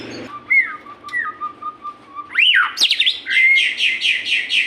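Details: Captive-style white-rumped shama song meant to prompt other shamas to sing: a long level whistle, then a sharp upward sweep and a run of quick, repeated buzzy high notes.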